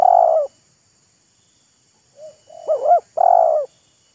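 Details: Spotted dove calling in an exchange between a decoy bird and a wild bird showing off, teasing and courting each other: a loud, throaty coo, a pause, two soft short notes, a quick double hooked note, then another long rolling coo. Quiet background.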